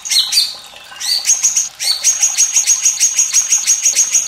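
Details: White-rumped shama song meant to train young birds and lazy singers, paired with trickling water; opening swooping whistles give way to a fast, steady series of sharp high notes repeated several times a second.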